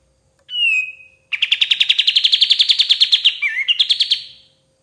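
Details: Master recording of a lively White-shouldered triller: a long descending whistle, a gap, then a rapid trill with one dipping slurred note midway before more quick notes.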